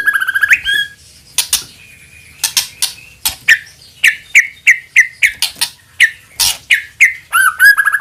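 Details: Lure recording of a white-rumped shama singing energetically: varied loud chirps, sharp clicks and rapid upslurred whistles in quick succession, with short rasping bursts between them.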